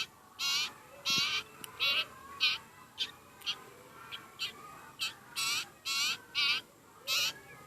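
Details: Begging by a very hungry sirpu, also called sirtu: around fourteen rasping, hoarse calls, some long and some clipped short, delivered at an uneven rhythm.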